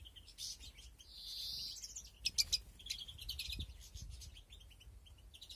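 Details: European greenfinches in a breeding aviary, 2021: a long buzzy wheeze early on, then sharp clicks and a run of quick high chirps and twittering.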